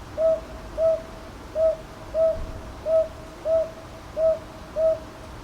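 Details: Northern boobook calling in Ichijoji, Sakyo Ward, Kyoto, 22 May 2023, captured on a TASCAM DR-100MKIII: eight even, low hoo notes delivered in evenly paced pairs over five seconds, with faint background hiss and no other voices.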